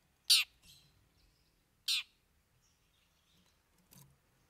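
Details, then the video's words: Cendet showing off its fill repertoire: two loud, rasping, noisy notes about a second and a half apart, followed by soft scratchy sounds in a quiet setting. "Cendet Bongkar 3 Isian"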